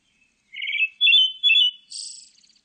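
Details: Single song phrase of a pale thrush: low rolling warble, a pair of strong ringing whistles, and a final sibilant high-pitched buzz, with no other sounds.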